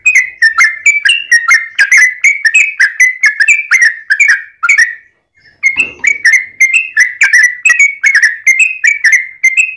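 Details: Long fighting song of a yellow-vented bulbul, a lure meant to draw answers from other bulbuls: dense, bubbly whistled notes rolling up and down without pause, broken by one brief gap before the chattering run resumes.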